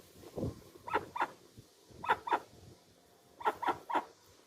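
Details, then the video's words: Dusky-legged guan calls in a clean original recording: abrupt yelping honks grouped in twos and threes, each group roughly a second apart, with a faint hiss and low background noise. "Som limpo do canto🎵 do Jacuguaçu. Som original da ave, sem interferência de efeitos sonoros."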